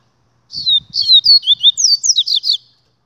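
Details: Double-collared seedeater singing a fast, unbroken string of about ten high whistled notes, alternately falling and rising, over faint low tapping.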